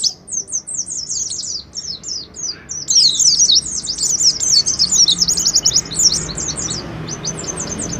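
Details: Oriental white-eye song in ngalas style, a lure for kept birds: spaced high chirps at first, then a dense burst of excited rapid twittering, easing into separate short notes.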